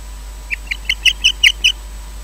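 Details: At 19:20 at a nest at Loch Garten, Scotland, a male osprey that brought a fish and took it away gives a rapid run of about seven high whistled chirps, five a second, growing louder over a low steady hum.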